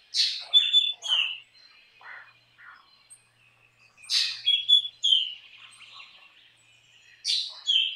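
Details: Black drongo, an insect-eating bird of open farmland, repeating a harsh rasp and whistled phrase about every three seconds, with short softer chips and twitters in the pauses.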